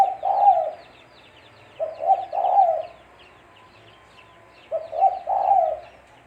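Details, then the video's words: Spotted dove, called tekukur, calling as a lure for trapping: low cooing phrases, each a short two-note lead into a longer rolling coo, three phrases about two seconds apart, faint chirping of small birds behind. "Suara Burung Tekukur-Suara Tekukur Buat Pancingan Mikat"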